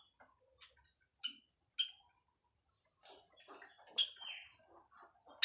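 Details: Nest-building white Java sparrows calling to mate: scattered high metallic chips, then a busy run of clicks capped by a clear downward-sliding whistle, ending on a sharp chip.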